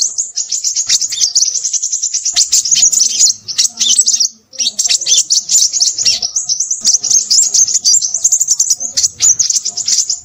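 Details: Crimson sunbird, described as noisy, keeping up a continuous high, thin twittering chatter of fast chips and short trills, with two brief gaps.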